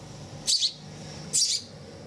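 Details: Hand-reared house sparrow chick, found on a street and taken in at about two to three days old, its right leg once paralysed and now healthy, gives two sharp, high, shrill chirps about a second apart indoors.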